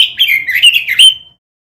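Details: Robin singing on a masteran lure recording used to train caged birds: a brief run of bright warbled whistles, sliding up and down, ending in one clear rising note that fades out.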